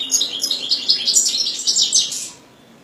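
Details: European goldfinch (Carduelis carduelis), song.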